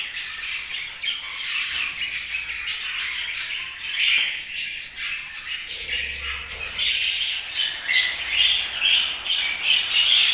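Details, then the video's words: Flock of budgerigars keeps up a constant chatter of high twitters, buzzy squawks and whistled chirps, growing somewhat louder and brighter toward the end. "Budgies' Chirping Sounds"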